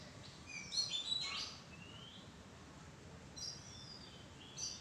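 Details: Oriental magpie-robin perched in a madan tree bower, a short cluster of high whistles and slurred notes at the start, then a few fainter whistled phrases against a quiet hiss.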